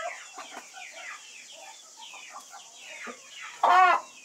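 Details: White-faced Black Spanish chickens in a flock: soft, scattered low clucks and murmurs, then a sudden loud, harmonic squawking call near the end that rises and falls over about half a second.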